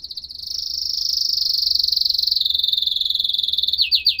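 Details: Canary in a clear recording, delivering a loud, fast, buzzy trill held steady for several seconds. It dips slightly in pitch, then breaks into a short run of descending sweeps.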